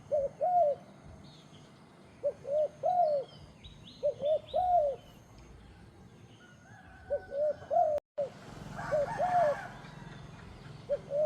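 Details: A European turtle dove gives low, rolling purred coos in clusters of two or three, repeating about every two seconds, with faint chirps from other birds behind.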